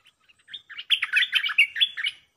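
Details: Loud, close stripe-throated bulbul decoy bird confronting captured wild birds: a rich, bubbling warbled phrase of tumbling liquid notes, rising to a continuous chatter before stopping abruptly.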